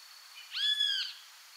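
A Great Kiskadee gives one loud, shrill, slightly arched note lasting about half a second, with a faint hiss in the background.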